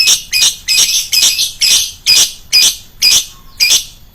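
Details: Lovebird, calling piercingly for luring other birds: a run of harsh, screechy, buzzy shrieks about two per second, each rough and broad, fairly even in rhythm.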